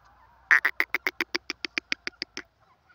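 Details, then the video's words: Francolin giving a quick string of about fifteen clipped, even notes that slow slightly and fade toward the end, with a faint low hum behind. "Teetar ki awaaz part 18"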